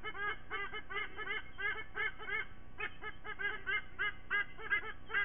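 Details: Nesting white-bellied sea eagles near Sydney in September, parents squonking while eaglets join the morning chorus; loud goose-like honks repeated about three times a second, slightly irregular, with brief pauses between runs.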